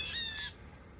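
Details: One of two Blue Jays in trees beside a trail south of Kinderhook toward Stottville, New York, gives a single harsh, raspy jeer lasting about half a second. Afterward only a faint low outdoor rumble remains.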